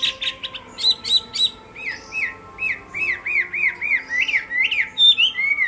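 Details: Chinese hwamei singing in a contest: opens with harsh buzzy notes, then runs into a steady series of curved, swooping whistles repeated several times a second, with a steady faint hum behind.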